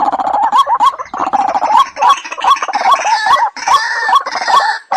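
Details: White-breasted waterhen lure call, for use by day or night, heard as a dense run of gurgling, croaking notes that overlap and blur together, with little pause between them.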